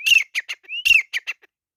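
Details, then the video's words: Fighting grey francolin (teetar) giving two loud harsh phrases, each a slurred whistle with clipped scratchy notes after it, a short upward whistle between them, then silence. "Teetar ki ladai | Grey Francolin Fight | teetar ki awaz"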